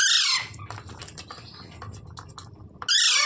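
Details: Parrot screeching loudly and harshly at the very beginning, then again at the end. A low murmur and faint clicks fill the pause between the two screeches.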